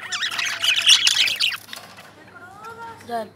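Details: Lovebirds chattering in a dense, harsh burst of high, scratchy chirps and squawks for over a second, then quieter; a tonal human voice or music is faintly heard toward the end.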